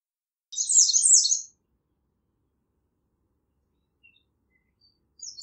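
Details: American redstart (Setophaga ruticilla) singing a quick, high, thin phrase of sibilant notes about a second long, then a pause before the next phrase begins.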